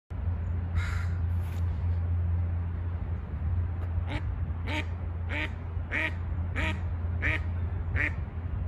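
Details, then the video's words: Mallard calling, a run of about seven short harsh quacks spaced roughly every 0.6 seconds in the second half, over a steady low rumble like traffic or engine noise, with a couple of fainter calls near the start. "Mallard call"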